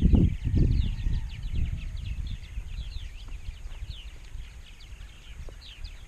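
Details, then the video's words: Purple martins calling at a big Rainsville, Alabama colony of roughly 920-930 pairs: a busy mix of short rising and falling chirps from many birds, with strong thumping low noise at the start and a constant wind rumble. "Large Purple Martin Colony"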